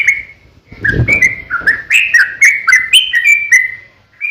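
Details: Long fighting song of a sooty-headed bulbul, used to get other bulbuls singing: a lone note, a low thud, then a rapid sequence of warbled, slurred notes that ends in a brief silence.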